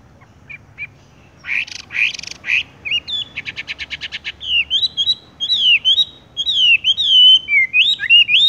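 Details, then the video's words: ["Horsfield's bush lark (wambie) in rolling song: harsh buzzy bursts and a rapid clicking rattle, then a lively series of slurred whistled notes rising and falling."] "wambie tung roll gantung langsung ngerol"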